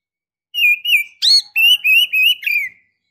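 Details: Oriental magpie-robin female in breeding condition calling for a male, giving a run of clear wavering whistles at a steady high pitch, broken by one harsh rasping chirp.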